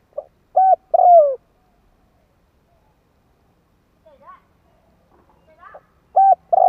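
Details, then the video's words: Spotted dove cooing used as a lure: one short coo and a long falling coo early, faint scattered chirpy notes in the middle, and another phrase starting at the end. "Tiếng Chim cu gáy kích bổi nhanh nổi hiệu quả"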